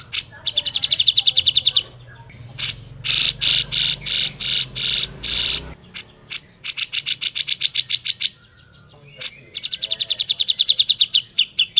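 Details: Black-throated laughingthrush (cucak jenggot) in full active song, kept as master training audio: series of rapid harsh chattering notes, several broadband buzzy blasts in the middle, then more quick repeated pulses.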